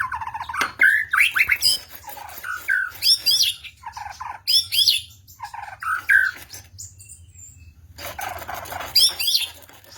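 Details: White-rumped shama, a trained F-class bird in full emotion, singing a loud varied song of whistled phrases, rising and falling notes, rapid chattering trills and brief pauses, with a low steady hum beneath.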